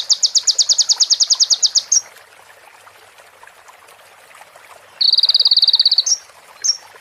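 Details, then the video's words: Crimson sunbird (konin) song from a training recording packed with mimicked female prinia and bar-winged prinia phrases: a high, rapid buzzy trill of about two seconds, a pause, then a shorter level trill and brief sharp chips. "MASTERAN KONIN FULL ISIAN PRENJAK BETINA SAMBUNG CIBLEK BREN JERNIH JEDA ORIGINAL DARI SUARA KONIN !"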